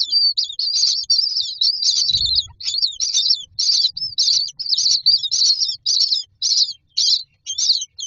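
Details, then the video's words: Common myna nestlings standing in a row in a nest box, waiting for food, keep up a steady run of scratchy high rasping begging notes, about two bursts a second, with a brief flutter of wings. "Myna chicks are standing in a row waiting for food"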